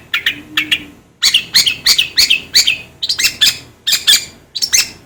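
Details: Long-tailed shrike song for training birds: harsh, scratchy two-part notes repeated in uneven bursts, roughly one and a half per second, with a brief quiet gap after the first few notes.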